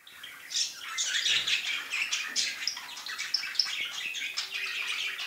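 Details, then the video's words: Male budgerigar showing affection chatters in a fast, busy warble of high chirps and scratchy notes, several a second, running on without pause. "проявление симпатии самца волнистика"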